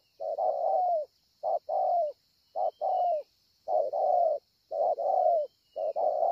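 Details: Spotted dove at Ngọc Hồi on 25 March 2020 delivering a strong cooing series: repeated short-then-long mellow coos, some with falling ends, roughly one pair per second, with faint distant whistles and a steady high hiss.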